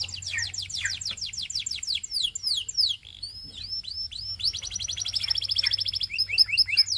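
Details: Belgian canary singing with other canaries nearby: fast series of sweeping downslurred whistles, a short pause, then chirpy upslurs leading into a dense rapid trill and ringing whistled notes.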